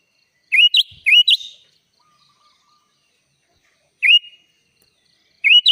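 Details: A sooty-headed bulbul singing gacor full isian gives short phrases of clear rising whistled notes, with long quiet gaps between them.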